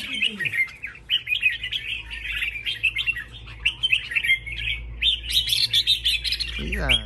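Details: Red-whiskered bulbuls in a singing contest, several birds pouring out dense, continuous chirping and warbled phrases in a high register, overlapping without pause; brief human speech at the start and end.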